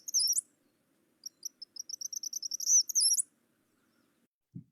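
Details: Eastern Kingbird, a summer bird at Kankakee Sands, Newton County, Indiana, gives high, electric sputtering calls: a quick stuttered series of thin notes rising into buzzy, sizzling 'kitter-kitter' bursts, with a low thump at the end.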